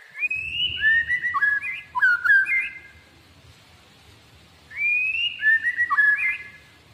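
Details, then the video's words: Tame White-rumped shama (murai batu) singing loudly while held in the hand; clear whistled phrases that slide up and down between notes, delivered in two bursts about two seconds apart, with a quiet background between them. "MURAI BATU KONSlET !! MURAI JINAK GACOR DI TANGAN"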